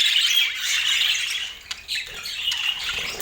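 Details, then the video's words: Budgies munching apple give loud raspy chatter that dips briefly past the middle, then resumes with rapid scratchy chirps and a couple of sharp clicks. "Relaxing Budgie Sounds"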